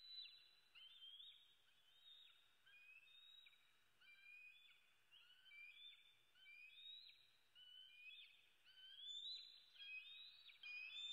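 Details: Hungry bald eagle eaglet, Southwest Florida, USA, 8 May 2016, early morning, screaming persistently for food: a long run of high, squealing whistles with short rising and falling slurs, many per second-pair, growing louder toward the end.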